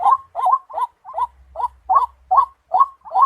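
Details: White-breasted waterhen (tikling) gives a steady series of hoarse, bubbling notes, about two or three a second, each with a slight wavering lilt, over a faint low hum; tagged as a trap sound.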